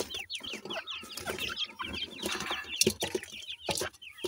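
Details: A group of grey francolin chicks peeping continuously while they feed, thin high chirps tumbling over one another, with pecking-like clicks and low thumps underneath.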